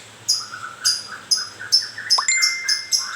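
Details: White-rumped shama recently moulting, giving its rough grewek sound: a run of sharp, harsh, high notes roughly every half second, with a low whistled note beneath and one long steady tone near the end.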